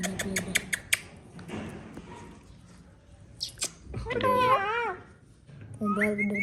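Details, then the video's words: Hand-tame pet parrot talking: a few sharp clicks, then a wavering, speech-like voiced phrase with bending harmonics, a short pause, and a steadier nasal phrase at the end. "Mia Mitho Talking Parrot"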